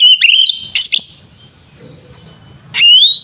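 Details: Oriental magpie-robin's fighting song, used to provoke other kacer. It opens with a warbled whistle and a few sharp notes, then a quiet humming gap, then a strong rising whistle climbs to a high held tone.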